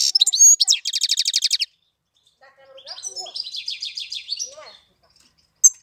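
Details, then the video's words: European goldfinch song recorded in April: quick high chirps run into a rapid pulsed trill, then after a pause a softer, scratchy warbling phrase, ending with one sharp note. "Cântec sticlele luna aprilie"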